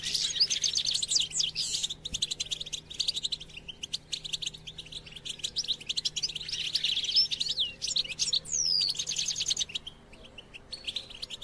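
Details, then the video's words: European goldfinch song for stimulating captive goldfinches: a continuous dense twittering with buzzy trills and a few sweeping whistled notes, over a steady low hum and faint background music. "STIMULATION SINGING for GOLDFINCHES"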